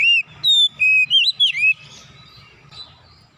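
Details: Oriental magpie-robin pouring out fill-in song: a quick series of clear whistled notes, some flat and some sharply twisted, ending in a rising slur before fading to quiet background hum.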